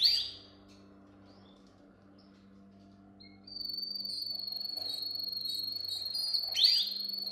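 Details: Canary song meant for training young canaries: a loud downward sweep, a quiet pause, then a long, steady, high rolling trill held for several seconds and ending in another sharp sweep.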